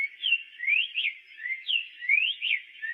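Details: Black-faced tanager in full song, pouring out a steady stream of whistled upslurs and downslurs, clear and melodic, each phrase following closely on the last.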